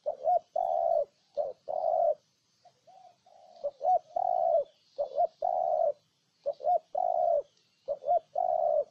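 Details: Repeated cooing by a spotted dove recorded in Ninh Thuận, Vietnam: about five phrases of two short hollow notes and a long steady coo, separated by brief pauses and faint soft calls.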